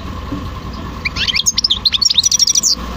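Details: European goldfinch delivering a brisk, high-pitched twitter of rapid chirps and short slurred notes for about two seconds, with a low steady hum underneath.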